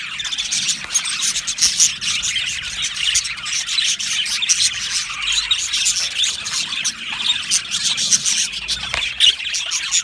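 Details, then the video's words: Aviary colony of Australian budgerigars giving an unbroken mass of high warbling chirps, ticks and short squawks, many birds calling over one another. "Australian Budgie chirping sounds"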